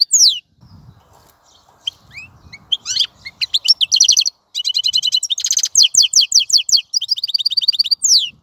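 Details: European goldfinch beginning with scattered thin slurred notes over faint low noise, then breaking into a fast buzzy, trilling, twittering song of repeated high chirps.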